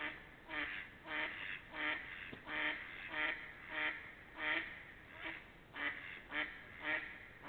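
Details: Ducks recorded between 28 March and 3 April 2021, giving a series of nasal, harsh quacks, about a dozen in irregular pairs and singles, roughly one every half second, with a muffled, dull tone.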